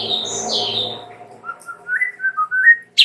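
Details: Morning song of a white-rumped shama played as a lure: after a rough, noisy opening, a run of clear whistled notes steps upward, ending in a bright sharp chirp.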